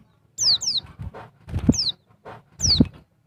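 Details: Calls of a female Dakun Bali white-eye meant to stimulate males: piercing downward-sweeping whistles in pairs and singles, accompanied by soft thumps and low rustling noises.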